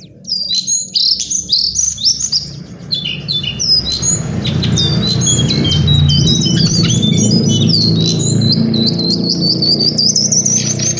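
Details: Lesser shortwing giving quick high chattering and slurred whistled notes, loudest early on, while a broad low rumbling noise rises and persists through the second half.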